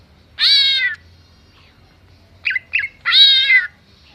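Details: Greater green leafbird mimicking a cat and a chicken: two long, wavering meow-like wails with rich harmonics, separated by a pair of short sharp chirps, in a quiet setting.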